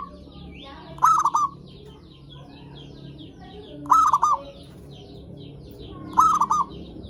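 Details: Zebra dove song used as a lure for other zebra doves: three loud, stuttering cooing phrases, each made of a few quick notes, spaced roughly every two to three seconds, with softer bird calls between them.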